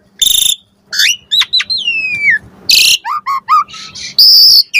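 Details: Asian pied starling lure song with mixed fill-in phrases: a loud harsh burst, a long gliding falling whistle, then a row of short clipped notes and a closing grating buzz.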